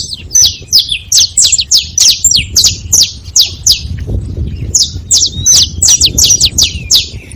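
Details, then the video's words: At a feeding site, a free saffron finch gives a rapid steady train of crisp high chirps, about three per second, then a denser cluster after a short gap, against faint low background noise. "Canário da terra fazendo barulho na seva"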